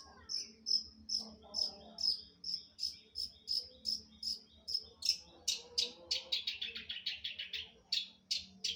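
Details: Long-tailed shrike (cendet) in gacor song. Steady high chipping notes repeat about twice a second, then give way to a quicker series of louder, harsher buzzy notes toward the end.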